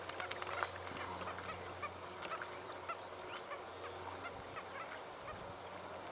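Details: Banded stilts (Cladorhynchus leucocephalus) in Victoria, Australia, September 2011, calling as a flock: a dense chatter of short, yapping, honk-like notes over a steady hiss of wind or water.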